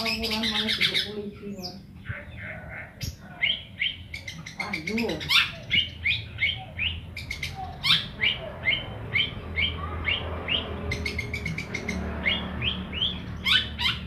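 A young long-tailed shrike practises its song: a fast, uneven run of bright, high chirps and short whistles, with a few harsher notes and a faint low background hum.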